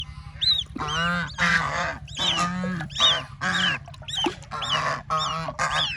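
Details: Baby ducks playing in water: repeated high, arched peeping notes over lower, harsh, honking calls in bursts about every half second, with a steady low hum underneath.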